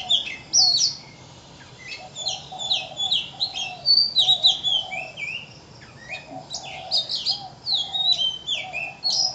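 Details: Oriental magpie-robin, its song and behaviour likened to a Eurasian blackbird, giving a varied run of clear whistled notes and quick slurred phrases, some sharply falling, delivered in loose bursts with short pauses over a steady low background hum.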